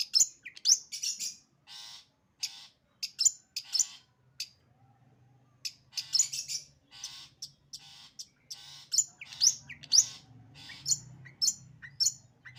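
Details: Sembur song of a long-tailed shrike, a mix of rasping bursts and shrill squeaks in irregular runs, with a low steady hum audible in the background.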